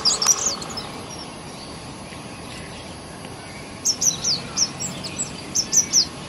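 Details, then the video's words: Sunbird in a garden in India, loud high-pitched song: a short burst of sharp notes at the start, then after a pause a run of quick descending chirps repeated about every third of a second. "Song Of Sunbird"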